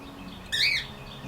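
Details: Caged cockatiels, two birds, sunning on a back patio in the morning near a wild bird feeder; one loud harsh harmonic call of about a quarter second, slightly rising, over faint chirps of local wild birds and a low hum.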